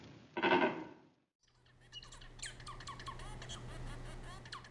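Zebra finch giving a quick series of short, nasal, toy-horn chirps over a low steady hum, after a spoken word.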